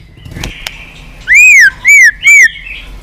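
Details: White-rumped shama clicking continuously, played to stir low-spirited birds into singing and tail-flicking. Three loud, clear arched whistles, each swelling up and down, follow each other about half a second apart after a quiet start.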